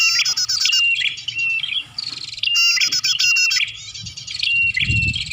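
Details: Bar-winged prinia calling on a lure track meant to attract birds: dense high-pitched twittering, rattling ticks and brief level whistles, repeated in two loud phrases with a low thump near the end.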